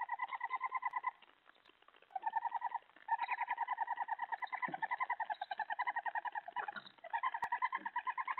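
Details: At 3:10 AM on 31 July 2017 an owl is brought a mouse, delivery twelve of sixteen for the night; long trains of quick pulsed chatter, pausing briefly twice, then resuming, with faint clicks in the background.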